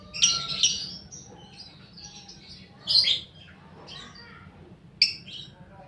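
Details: Paud fighter lovebird under five months old, recorded as a lure for other lovebirds: scattered shrill chirps and a few rasping notes separated by quiet gaps, over a low steady hum.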